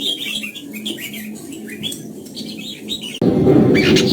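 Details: Morning song of red-whiskered bulbuls in the 'old forest double-note' style, used to train a bird's voice: quick chirpy warbles repeated several times a second, then cut off by a sudden loud rushing noise.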